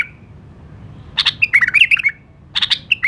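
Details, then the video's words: Iraqi nightingale, the local name for the white-eared bulbul, singing short bursts of sharp clicks followed by quick warbled whistled notes, two phrases with a pause between. "تغريد بلبل مخلف 🥰 لسان نقي😄Iraqi nightingale tweet"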